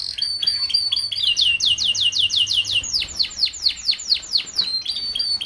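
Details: Canary song of the 'paud' kind, used to tutor young canaries kept together so they start singing quickly: brief chirps, then a rapid run of repeated downward-sweeping whistled notes, about two per half second, slowing into longer slurred sweeps.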